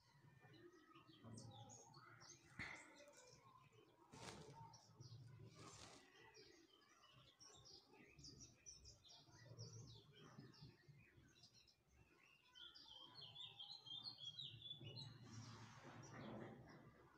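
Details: A cockatiel having its head scratched gives soft, scattered chirps and short whistled notes over a low background rumble.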